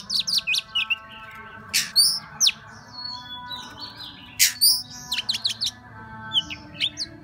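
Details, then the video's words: Song of an Oriental magpie-robin, the "múa 13 kiếm" style: quick runs of high whistles and chips alternate with loud rasping bursts and downslurred whistles over a steady low background hum. "Choè than hót múa 13 kiếm"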